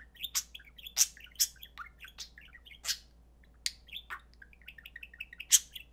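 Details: Pet budgerigars playing indoors: rapid high, thin chirps and clicks scattered irregularly, a few sharper louder chirps standing out, over a low steady hum.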